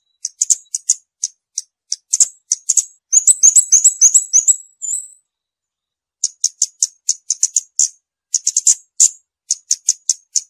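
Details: High, clicking ticks from a scarlet-backed flowerpecker, scattered irregularly, interrupted by a fast jumbled twitter of thin, very high notes, then more sharp ticks after a brief silence.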